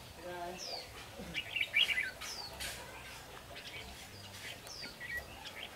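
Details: Red-whiskered bulbul near a fighting trap set for bulbuls, giving short bright chirps and quick down-slurred whistled notes in scattered bursts, with faint low voices and rustling early on.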